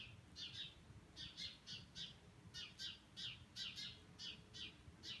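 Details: A Brambling flock migrating over Cornol, part of thousands of birds passing that day, gives short, rapid, overlapping chirps, several per second, in flight over a low background rumble.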